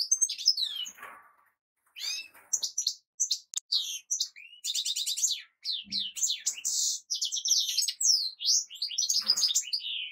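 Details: European goldfinch singing a long, fast, varied song of bright twittering notes, buzzy trills and quick rising and falling whistles, mostly high-pitched, with short pauses between phrases.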